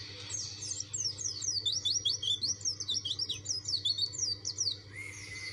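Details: Dakun white-eye pressing its challenge to rivals, delivering a quick string of sharp, downslurred high chirps at about two or three per second, then a brief steady lower tone at the end; faint hum throughout.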